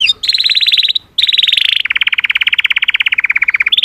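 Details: Canary song: a dense buzzy trill near the upper register, a short break, then a long rolling trill of rapid even notes that drops slightly in pitch and runs steadily to the end.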